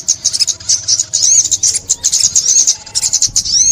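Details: High-pitched sunbird twittering from a 2021 bird-trapping recording: quick bursts of sharp chirps with curving whistled notes, closing on a brief falling sweep.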